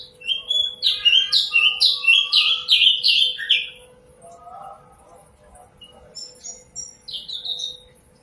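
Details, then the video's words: Common nightingale (sikatan londo) in full, clear, melodious song. It delivers a fast run of rich, repeated down-slurred notes, roughly four a second. The song then drops to softer, scattered twitters and a final short burst. "Sikatan Londo (Nightingale Common) Suara Jernih Merdu & Mewah"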